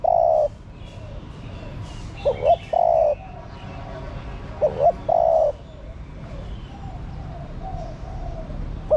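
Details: Female spotted dove calling to stimulate a male. A trailing coo opens the clip, then two phrases of paired short upswept notes, each followed by a long level coo, about two and a half seconds apart.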